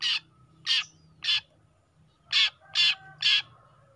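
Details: Juvenile long-tailed shrike giving harsh, raspy single notes, six in all, spaced about half a second apart with a longer pause in the middle; faint low hum in the background.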